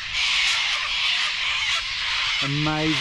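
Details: A flock of cockatoos going crazy outside a rural property shed screeches loudly and continuously, a dense wall of harsh, raspy calls, with a man exclaiming at the loudness near the end.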